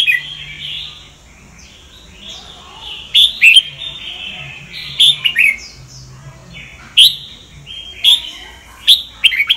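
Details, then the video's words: Red-whiskered bulbul of the Sông Kon type singing for voice training; soft whistled phrases broken every few seconds by sharp, loud chirped accents. "Chào mào luyện giọng cực hay"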